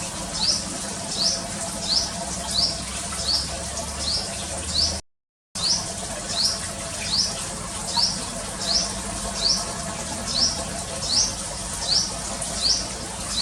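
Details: At a bird-watching house, a clear-voiced little sunbird keeps up a long run of crisp, high, descending chirps about once every 0.7 seconds, broken by a brief silent gap midway, over an even hiss.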